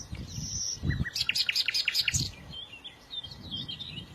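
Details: Small birds singing: a burst of sharp, high chirps and quick tweeting notes, then softer scattered twitters trailing off, over low rumbling background noise.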